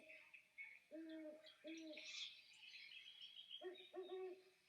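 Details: Great Horned Owl, a species of Portage County: deep, soft hoots, three spaced notes then a quicker stuttering run, with faint higher chirping and hiss behind.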